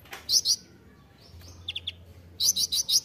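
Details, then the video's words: Kolibri ninja sunbird recorded as a songbird-training master. Two ringing high chirps, a soft faint note sequence, then four loud bright chirps in quick succession. "masteran kolibri ninja (konin) gacor full isian mewah"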